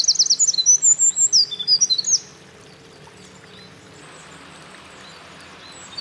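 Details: Eurasian wren in full song at a mountain pass on 28 April 2024, the bird earlier seen carrying nest material; about two seconds of high, rapid trilled notes end abruptly, leaving steady rushing stream noise.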